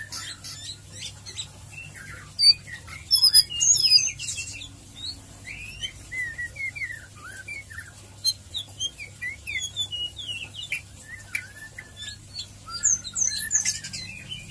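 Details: White-rumped shama (murai batu) with a long ngeriwik ngeplong song: dense series of sweet whistled slurs, trills and sharp chips, some phrases dropping steeply, loud bursts near the start, continuing steadily throughout; soft hum in background.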